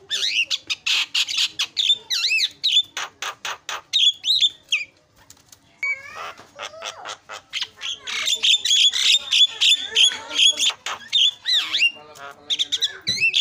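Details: Loud, nonstop starling chatter meant as a lure to make other birds call: fast rattling notes, squeals and looping whistles, pausing briefly before a dense rush of rasps and slurred whistles.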